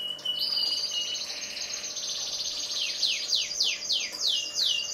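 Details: Canary singing, black-red versus yellow: a brief steady whistle, a dense high buzzing roll, then a run of bright falling swoops repeated roughly three times a second.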